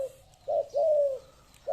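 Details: Caged spotted dove with a big, deep voice, its coo in the 'broken-winged' (ปีกแตก) style: a short low note followed by a longer, steady, slightly falling coo, then the start of another note, in a quiet room.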